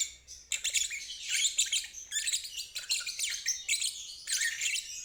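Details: Lovebird trilling (ngeriwik), played as training for birds that have stalled or for young fledglings learning to trill: dense, high, rapid chattering bursts in several long runs separated by short pauses, no other clear sounds.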